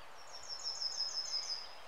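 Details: Yellowhammer spring song (singing begins in March in Denmark): a quick run of about ten thin, high, evenly repeated notes, the counting "one-two-three…seveeen" song, over a soft hiss of background noise.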